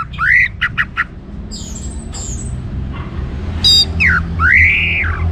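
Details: Orange-headed thrush singing to spur other birds: harsh arched squawky notes, short stuttered bursts and a high whistle, then drawn-out rising-falling rasps.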